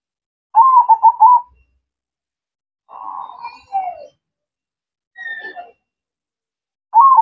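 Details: Actively singing zebra dove (perkutut): one clear burst of rapid trilled cooing, then softer blurred notes with a falling slur, a brief thin whistled tone, and a new trill starting at the end.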